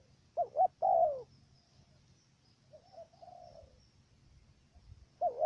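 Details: Decoy dove for trapping in Cà Mau, Vietnam: one stuttering coo phrase of two jerky notes and a sustained falling note, then soft distant cooing from another dove, and the next phrase starting at the end.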